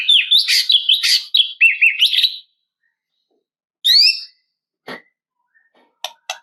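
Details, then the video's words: White-rumped shama singing a varied song aimed at provoking a rival. A fast warbled burst of rising and falling whistles lasts over two seconds, followed by one bright upslurred phrase and a few faint clicks. "KICAUAN SUARA MURAI INI MEMANGGIL LAWAN"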